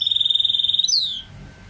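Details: Goldfinch mule, a goldfinch hybrid, singing: a fast, even, high trill held for almost a second, then one bright downward-slurred note, in a quiet setting.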